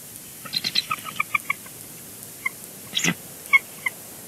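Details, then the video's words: At a Big Bear Lake nest on 3 February 2022, a female bald eagle arrives and chatters with her mate, coaxing him off the eggs with soft vocals: a quick run of thin, squeaky piping notes, then scattered high chirps. "Bald eagles; chatty switch"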